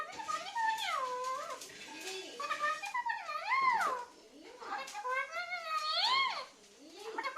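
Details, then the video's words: Pet parrot talking indoors in a small room: a run of speech-like phrases with wavy, rising and falling tones, bursts separated by short pauses, and no other clear sounds. "parrot talking"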